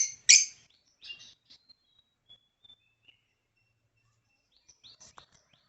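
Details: African lovebird giving one loud, shrill, harsh chirp, followed by soft faint twittering notes and scattered quiet squeaks.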